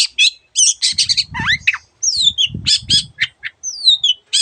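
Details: Long-tailed shrike (cendet) singing a varied gacor song with other birds' sound variants. Raspy chatter and long descending whistled slurs, with low muffled thumping noises in the background.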